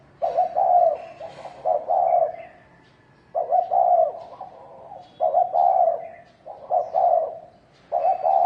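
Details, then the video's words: Rousing fight call of a wild field-type spotted dove: loud, burbling coo phrases of several joined notes, coming in bursts with short pauses between them, over quiet background with a few thin high chirps. "Tiếng chim cu gáy thổ đồng kích trống kích bổi đánh nhau"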